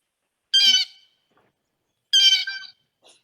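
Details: Blue Jay calls in a Manitoba winter birding guide, played as a reference. Two loud, harsh, buzzy squawks about a second and a half apart, with near silence around them.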